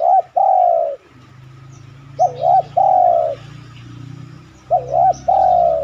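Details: Spotted dove cooing repeatedly, recorded to lure other doves into cooing. Phrases of a quick wavy double note and a long descending coo repeat every two to three seconds over a low hum.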